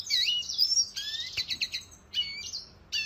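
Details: Red siskin training song meant for cage birds: short bursts of high twittering and whistled slurs separated by brief pauses.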